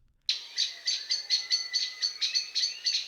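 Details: Common blackbird (Turdus merula) alarm when startled: a frantic run of sharp, high 'pink' notes repeated about four times a second, about a dozen in all, with no other sounds.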